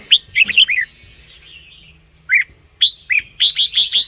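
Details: Red-whiskered bulbul song played to excite caged birds or lure others: bright whistled phrases with rising and falling notes, a short burst, a pause, then a rapid run of five sharp repeated notes near the end.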